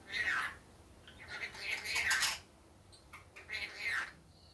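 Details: Daytime rainbow lorikeet, a pet bird, uttering harsh grating squawks in three bursts, the middle one longest and noisiest, with brief clicks between, over steady background hiss.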